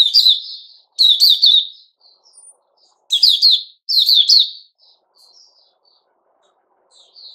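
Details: Male sooty-headed bulbul recorded 10 July 2021 gives four loud bursts of bright, descending chirps, each followed by quiet scattered notes.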